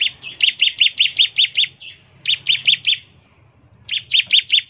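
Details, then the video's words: Lure recording of a bar-winged prinia singing in the fast ngebren manner: three bursts of rapid, sharp high chirps, the first of about eight notes, with a quiet gap before the last burst. "ciblek gacor, nembak NGEBREN untuk pancingan ciblek agar cepat bunyi"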